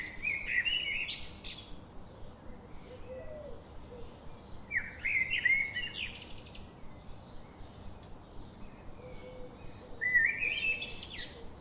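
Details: Birds chirping in three distinct bursts a few seconds apart, each a quick twittering phrase of sliding whistled notes, with faint lower calls between and an even background hiss.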